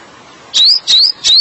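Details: Oriental magpie-robin song used as therapy for stressed birds: three clear whistled notes, each rising sharply and evenly spaced about a third of a second apart, with a quiet background.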